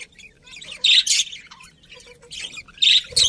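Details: Budgie chirps in three loud, rasping, high bursts separated by quieter scratchy warbling.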